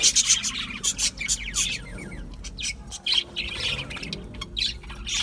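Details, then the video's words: Chattering budgerigars give clusters of high chirps and raspy squawks, with short gaps between loud bursts and a light hum underneath. "Budgie Parrots Chirping sounds"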